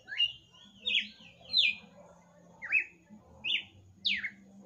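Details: Red-cowled cardinal singing at the end of the night, caged: a run of bright, slurred whistles, some rising then falling, others dropping steeply, spaced under a second apart over a soft low background hum.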